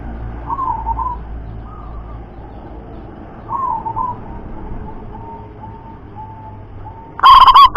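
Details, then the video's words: Soft, wavering mid-pitched coos from a local zebra dove repeat for several seconds. A sudden, very loud clipped coo burst enters at the end over a faint low hum. "Perkutut Lokal Suara Lantang Mampu Jarak Jauh"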